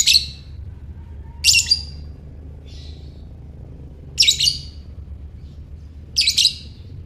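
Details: Lovebird ngekek call for provoking other lovebirds: shrill, buzzy chattering bursts about every two and a half seconds, with a faint softer chirp in one gap and a low background hum.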